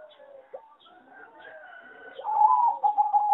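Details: Zebra dove of the competition singing type from a breeding farm, noted as a poor singer; soft background coos give way to a loud, rolling run of quick cooing notes.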